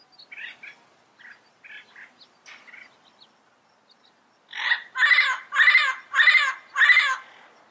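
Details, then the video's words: Soft, scattered chatter from a yellow-headed amazon, then four loud, harsh squawks repeated roughly every 0.6 seconds. "Yellow Headed Parrot Sound Bird Call"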